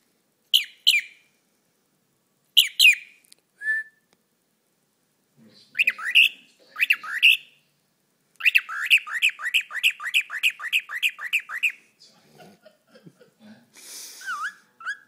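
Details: A 5-month-old male pet cockatiel chirps, whistles and chatters in bright, rapid bursts; the chirping is him saying his name, and he also says "where's the birdie" and tries to sing Old MacDonald.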